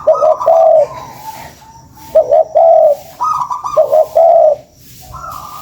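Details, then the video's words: Spotted dove, recorded as a lure call, gives repeated low coo phrases: a quick doubled note, then a longer throaty coo, with higher, fainter notes trailing after. Steady faint hiss behind. "SUARA PANCINGAN BURUNG TEKUKUR"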